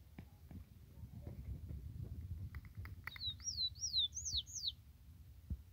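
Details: Wild papa-capim (yellow-bellied seedeater), 'baiano' song style: a short run of high, slurred whistled notes rising and falling, repeated four times in quick succession midway through, over low rumbling background noise and a few faint clicks.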